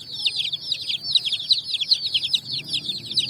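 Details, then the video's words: Coloured chicks jumping and running on sand at evening; an intense burst of high, piercing peeps from a crowd of chicks, closely overlapping falling notes. "Chicks Chirping"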